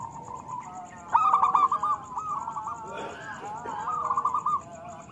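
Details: Zebra dove of a local strain singing to spur silent doves: soft cooing swells into a loud, quickly pulsed trill, followed by a fainter rolling phrase.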